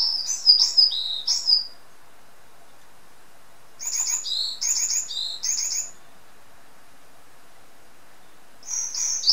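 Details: Varied tit kept as a pet bird, singing repeated phrases of high clear whistles, each a rising then falling pair of notes, delivered in bursts of three or four with silent gaps.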